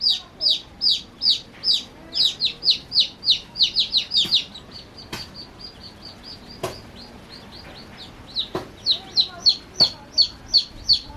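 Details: Baby chicks playing, giving rapid high, thin peeps that each slide downward, sometimes overlapping in quick runs of several per second, with brief pauses and a few sharp clicks or knocks in between.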